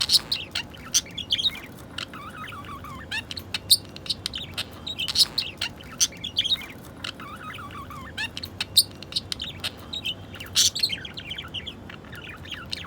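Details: Budgerigar; courtship chatter; calling for a mate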